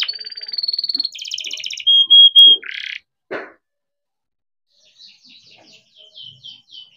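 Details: Captive-bred young canary singing as a lure for other canaries: a burst of fast trills and pure whistles for about three seconds, then silence and faint scattered chirps.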